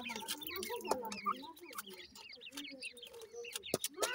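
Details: Dense chorus of Grey francolin chicks at feeding time, rapid overlapping chevron-shaped peeps with sharp clicks, likely pecking.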